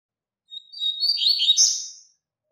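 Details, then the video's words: Double-collared seedeater song used for teaching young birds: a single rapid, high, buzzy warbled phrase of about one and a half seconds, sliding and twittering, with no other sounds. "Encarte Canto Forte Para Coleiro e Papacapim - Coleiro Professor Aprendizado"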